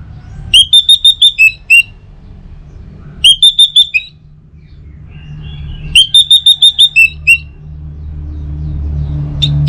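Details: Song of an orange-headed thrush, played in the morning to prompt other birds: three matching phrases about every three seconds, each a rapid series of six to seven harsh, ringing, evenly spaced notes ending lower.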